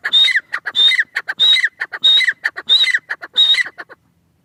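A francolin calls loudly, repeating a harsh, grating phrase with a shrill whistled note about every half second, six times in quick succession.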